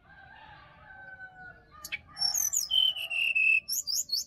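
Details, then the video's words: Sirdadu recorded wild in Bali forest as morning bait for a quiet caged bird. Soft lower drawn-out whistles, then a sharp high note leading into loud high twittering and a descending string of clear whistles. "SUARA ASLI HUTAN SRDC BALI"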